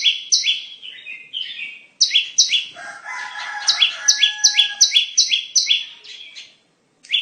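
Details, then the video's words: Bar-winged prinia lure song for trapping: fast, high, two-part chirps in uneven bursts, with a lower, rougher chattering and warbled notes mixed in partway through. "Pikat Burung Ciblek"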